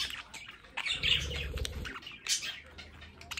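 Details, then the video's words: Pet budgerigars in a home play area give raspy chirps and warbles while a soft low fluttering or rumble passes in the middle. "Sonidos para Periquitos Australianos en casa"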